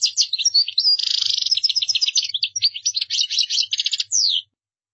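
A European goldfinch sings a fast, tinkling stream of high twittering notes mixed with a brief buzzy trill. It runs unbroken for about four seconds, with nothing else heard.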